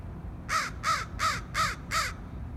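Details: A crow gives five harsh, hoarse caws in an even series, one about every third of a second, over a low background rumble.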